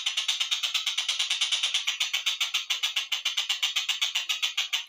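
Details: Slowed-down collared kingfisher recording meant to tutor other songbirds: a continuous rapid series of harsh, rasping notes, several per second, at a steady rhythm throughout.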